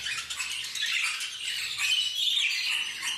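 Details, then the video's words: Many parakeets squawking and chirping together in an unbroken, busy high chatter, with short shrill notes rising out of the mix. "BANDO DE PERIQUITOS."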